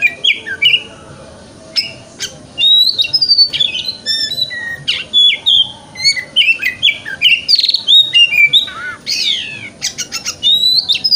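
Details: Oriental magpie-robin singing a 'wikplong' style lure song, played as morning therapy to get a bird to open its tail: fast, varied phrases of clear whistles, sharp upslurred notes and buzzy trills, with brief pauses between bursts.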